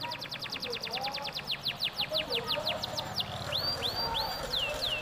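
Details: A domestic canary, played as a lure to prompt other canaries to sing, gives a fast rolling trill of rapid repeated notes, then slows into separate sweeping whistles over a low hum.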